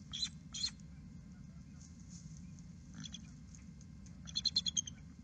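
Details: Bald eagles at their nest on 18 March 2018, shortly after noon during incubation as the eggs are watched for pipping, give thin, high chirps, then a quick run of piping, squeaky notes near the end, over a steady low rumble of wind.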